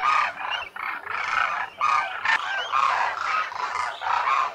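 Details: At a lake near Khichan in the Thar Desert of Rajasthan, India, thousands of wintering demoiselle cranes (koonj) give grating, rattling trumpet calls in long overlapping bursts with brief gaps between them.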